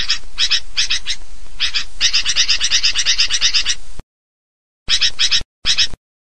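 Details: Noisy sooty-headed bulbul chatter used as a lure to draw birds in: about four seconds of rapid, repeated harsh notes, then silence and two short bursts of the same chatter.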